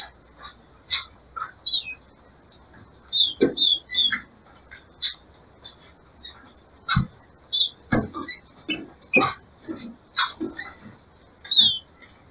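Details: Captive female green-winged saltator in breeding season, calling to stimulate the male: scattered short high chirps and squeaky notes in irregular bursts, mixed with sharp low clicks and knocks.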